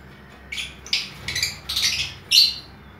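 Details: Lovebirds in an aviary with colour varieties including albino red-eye splits, blue Fischer's, violet and lutino birds. Shrill, high chirps and squawks come in five bursts over a steady low hum.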